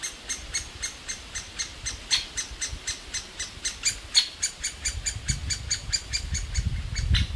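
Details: Great spotted woodpecker nestlings in a tree cavity in an old aspen calling incessantly to be fed by their parents; rapid series of shrill high notes, with low rumbling noise rising toward the end.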